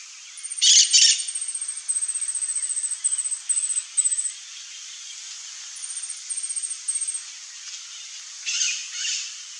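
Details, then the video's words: Glittering-bellied emerald (Chlorostilbon lucidus), a hummingbird, singing: very high, thin, rapidly repeated ticking notes in short buzzy runs, with two brief louder rustling bursts. "GLITTERING-BELLIED EMERALD singing"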